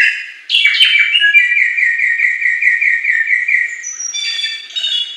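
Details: Wild Bare-throated whistler (samyong) singing: clear whistled notes sliding down into a long, rapid, rolling trill of repeated fluty notes, then higher sweet whistles at the end, with no other sounds.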